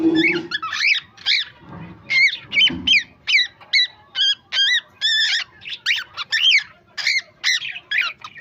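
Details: A pet cockatiel in India talks in quick, chirpy, speech-like syllables, repeated in a steady run.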